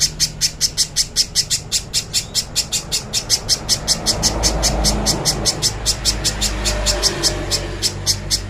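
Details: Clear recording of a little spiderhunter for training: a fast, even string of piercing high notes, more than two per second, kept up throughout over faint low background noise.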